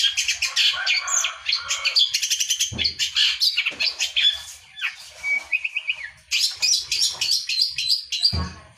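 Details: Vigorous Long-tailed shrike song mixing scratchy chatter, buzzy bursts and a few drawn-out whistles, with a quick series of rising whistled notes near the middle.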